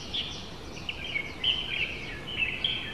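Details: A pair of warbling white-eyes (Zosterops japonicus) outside a home window in July 2018 give thin, high chirps, about three per second, over a steady hiss of outdoor background noise.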